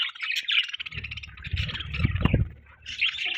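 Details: Budgerigar chirping as a steady warbling chatter, with low thumping and rustling noises underneath in the middle.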